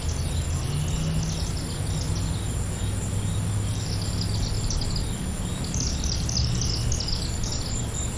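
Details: Several chimney swifts heading to their nighttime roost on a summer evening give high, rapid chattering twitters in overlapping bursts over a steady low rumble.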